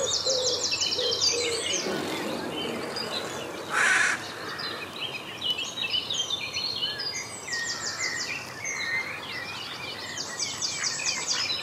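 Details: Mallard ducklings in the Saarn-Mendener Ruhraue, Mülheim an der Ruhr, Germany, on 9 June 2016 at 09:00, give rapid series of thin, high peeping notes in bursts, with a brief rustling noise in between.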